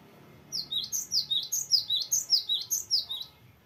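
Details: Gelatik batu, the cinereous tit, delivers an extended rolling song in the chatty "gacor ngeroll" style: some fifteen bright, high, downslurred double whistles repeated rapidly and steadily for nearly three seconds.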